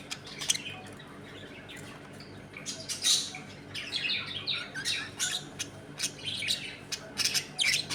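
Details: Pet budgerigars chattering in a home colony while eating, playing and fighting: a steady run of scratchy chirps and squawks, busiest in the second half, with a low hum underneath.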